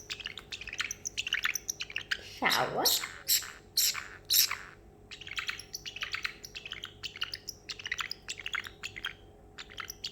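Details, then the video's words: Excited pet male parrotlet after treats and almonds, imitating water sounds: dense bursts of sharp, high, clicky chirps and rapid twittering, with one lower swooping note midway. "the parrotlet making water sounds"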